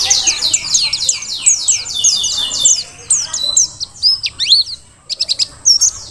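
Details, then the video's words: Merapi Mountain white-eye, Dakun type, wild-caught, in full voice. Rapid descending high chips pour out in a dense rolling series, then give way to scattered sharp upslurred notes and a brief pause. "Pleci Dakun Merapi Ngalas super gacor paling di cari untuk Masteran"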